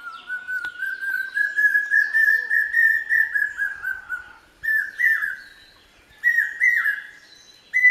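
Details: A common hawk-cuckoo in the Konkan region of India gives loud, shrill whistled notes in a fast series that climbs in pitch, then repeats short rising phrases. Thin chirps from other birds sound behind.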